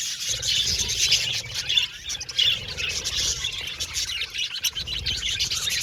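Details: Happy budgerigars in an aviary colony, chirping rapidly in a dense, irregular stream of squeaky high notes, faint low hum behind.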